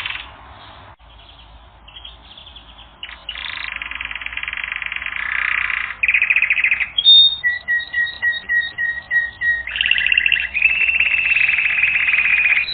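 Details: Canary training song: a quiet start, then long buzzy rolled trills, a run of repeated high whistled notes and more rolling trills.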